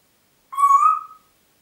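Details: Pet Congo grey parrot at Diebach near Hammelburg, April 2012, giving one clear, steady, mid-pitched whistle lasting under a second, slightly rising at the end, with silence around it.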